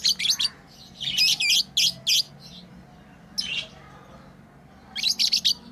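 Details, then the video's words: Tame pet lovebirds chirping while playing: clusters of high, sharp, rapid chirps in short bursts separated by quiet pauses, with a faint low hum beneath. "Lovebirds playing & Chirping sounds"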